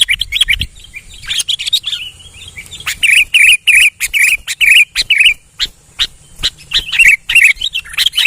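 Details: Male sooty-headed bulbul, described as very active in song: bright bubbling phrases of rich warbled notes around the upper-middle range, delivered in quick bursts with short pauses between them.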